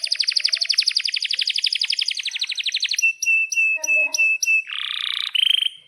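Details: Canary in full song with long rolls, meant for training young canaries: a rapid even trill of about three seconds, then a series of clipped whistled notes, finishing with a buzzy harsh phrase and a short roll.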